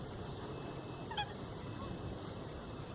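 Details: Eurasian coot on a lake in the Eijsder Beemden nature reserve, Limburg, Netherlands, on the morning of 7 October 2024, among groups preening: one short, sharp, honking call over a steady low rumble.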